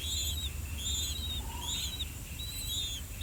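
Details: Two older blue-winged pitta chicks in the nest calling while waiting for their parents to bring earthworms; high thin whistled notes repeated in short bursts with a faint lower whistle.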